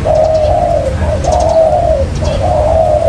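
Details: Trapping lure of a spotted dove: three long, rolling, slightly wavering coos run close together, with faint taps in the background.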